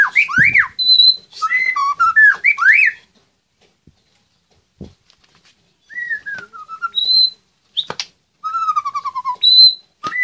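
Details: Caged White-rumped shama competing in an online songbird contest from Magelang, Indonesia, delivering bursts of loud varied whistles and rattling trills, with pauses between phrases, a descending slurred whistle and a falling trilled series.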